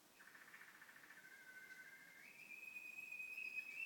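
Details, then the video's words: Household canary singing indoors; a soft pulsed tour that smooths into a steady whistled note, stepping up to a higher sustained whistle that grows louder. "Canary making beautiful sounds"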